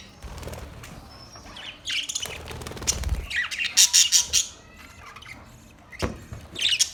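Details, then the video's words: Budgerigars giving mixed high chirps and harsh squawks, a loud burst of rapid repeated notes in the middle, then a pause and a final scratchy flurry, with low rumbling background noise. "Budgies chirping sound"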